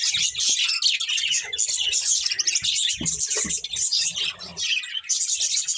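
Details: Breeding pair of budgerigars chattering nonstop, a dense stream of quick high twittering chirps and warbles with brief louder squeaks, and faint low thumps underneath.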